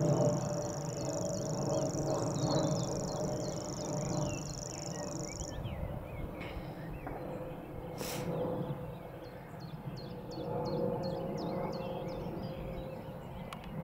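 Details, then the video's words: Grasshopper warbler reeling in Totteridge Valley on 6 May 2017: a continuous, high, insect-like reel that holds steady for about five and a half seconds, then stops, followed by short chirps from other birds over a steady low rumble. "Grasshopper Warbler Reeling"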